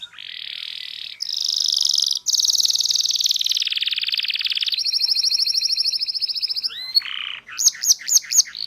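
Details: Canary master song to teach young canaries: buzzy sustained rolls shifting up and down in pitch, a long bright trill, then a few short sharp notes at the end.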